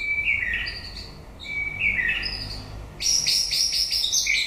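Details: Song of a white-rumped shama late in the breeding season: two slurred whistled phrases, then a sudden burst of fast, bright, stuttering high notes rattled off in quick succession.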